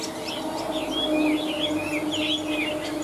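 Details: Caged Chinese hwamei singing high: fluid whistled notes rising and falling in short linked phrases, loud and continuous, with a faint hum underneath.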